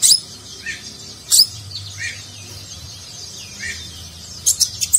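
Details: High-pitched konin sunbird song, Nagen style with rich filler, for training contest birds: thin warbling, a loud sharp chip, short down-slurred whistles, then a quick burst of three sharp chips at the end.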